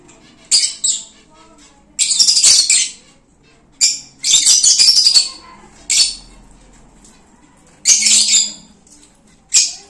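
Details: Lovebirds returning to their cage give harsh, high screechy squawks in bursts of about a second, coming every one to two seconds, with a faint low hum beneath.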